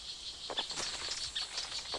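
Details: Five or six bird species mob a small boa constrictor climbing toward a nest with young: sharp, high alarm notes and brief chattering bursts in quick succession, with a steady high insect hiss behind.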